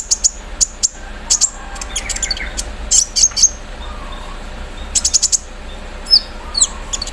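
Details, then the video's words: Van Hasselt's sunbird in a cage, put out in morning dew and singing intensely with embroidery-machine mimicry: rapid clusters of sharp high ticks, a few short upslurred whistles, and faint lower chirping. "KOLIBRI NINJA GACOR KELUAR ISIAN MESIN BORDIR SAAT DI EMBUNKAN PAGI HARI SAMPAI TELER"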